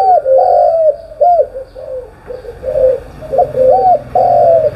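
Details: A spotted dove coos in the morning, low rounded hoots repeated in an uneven sequence, some longer drawn notes among short arched ones.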